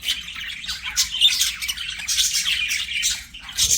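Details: Singing, playing budgerigars give a continuous twittering warble, with scratchy notes and short bright chirps layered into a steady high chatter.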